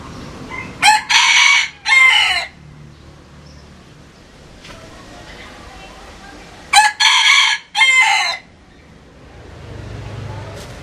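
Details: Rooster crowing twice, about six seconds apart. Each crow is a loud, harsh, broken phrase of three bursts, the last stretched out. Quiet low murmur in between.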